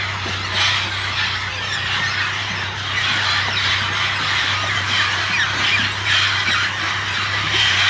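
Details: Mixed flock of parrots and parakeets at a jungle clay lick at Napo Wildlife Center, Ecuador, makes a dense, unbroken roar of overlapping shrill squawks and screeches, steady and loud throughout, with a low hum underneath.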